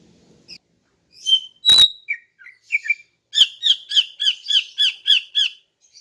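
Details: Morning song of a female greater green leafbird, played to draw in males: scattered chirps and one sharp click, then a steady series of about ten bright, high notes repeated roughly three times a second.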